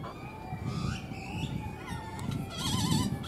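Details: Male Great-tailed grackles in Bosque de Chapultepec, Mexico City, vying for females' attention give squeaky, rising whistles and a fast wavering warble near the end, over a steady low background rumble.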